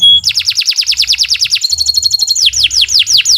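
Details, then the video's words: Canary song for training pet birds to sing: a rapid run of short falling notes, a fast two-toned trill, then slower swooping whistled notes. "Kicau Burung Kenari 151 II LUAR BIASA GACOR PANJANG"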